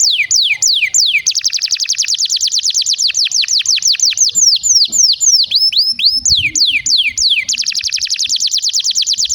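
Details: Canary song for prompting other canaries and tutoring young ones, also as therapy for canaries that have stopped singing: a long, fast run of high, sweeping downslurred notes and bright trills, several a second with barely a pause.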